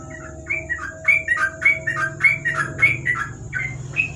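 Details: Sooty-headed bulbul singing in ropel style at night under a lamp: fast bubbly run of short whistled notes, rising and falling, about two per second, over a steady high hum and low background rumble.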